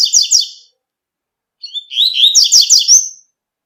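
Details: Wild double-collared seedeater, tui-tui song type: quick doubled high whistles, a pause, then a longer rising run of rapid repeated twittering notes ending on a thin upward whistle, clean with no background noise.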